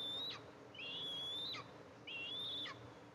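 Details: Eastern imperial eagle nest, mother arriving to feed her two eaglets, nest camera recording from July 14, 2024. Three high, drawn-out whistles climb slightly before snapping downward, separated by short pauses.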